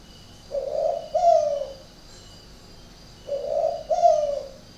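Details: Spotted dove from a bird garden in Ba Vì, Hanoi, northern Vietnam, with an unusual coo: two phrases, each a mellow low hum followed by a louder slurred note that drops away, against faint background hiss.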